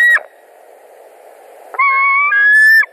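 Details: White-tailed eagle at its Latvian nest, summer evening of 21 July 2019, while an eagle arrives; a clipped call ends, then after a pause a long harsh scream that steps down in pitch.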